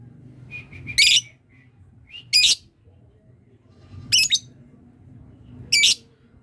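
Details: Caged lovebird learning to ngekek, the long trill, its practice drawing calls from other lovebirds: four harsh, high squawks, each about a quarter-second long, spaced roughly one and a half seconds apart over a low background hum.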